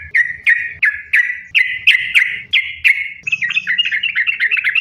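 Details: Sooty-headed bulbul song as a lure for bulbuls to sing: evenly spaced sharp whistled notes with slurred tails, then a quicker twittering warble at the end, over a faint hum.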